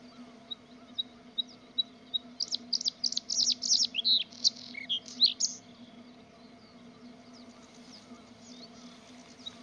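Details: Singing Bluethroat: soft, spaced ticking notes build into a rapid burst of varied high, sharp chirps and twangy notes for about three seconds, then fade back to faint scattered ticks over a low steady hum.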